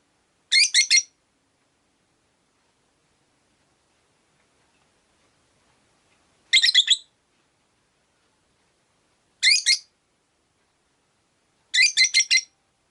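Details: Five caged Rosy-faced lovebirds by a window; bursts of rapid, stuttering, rasping chirps come in four clusters spread over thirteen seconds, with long quiet gaps between.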